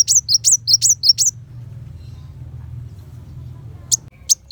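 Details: High-pitched sunbird song, local name kolibri wulung, used to train contest white-rumped shama. Five quick sharp chirps open, followed by a quiet stretch of low hum and two lone squeaky notes at the end.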